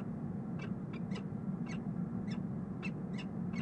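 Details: Peregrine falcon pair bonding in a nest box on the Rhodes Tower in Columbus, Ohio, March 9, 2015, via nest camera: short, sharp chipping calls repeated about every half second over a steady low city rumble.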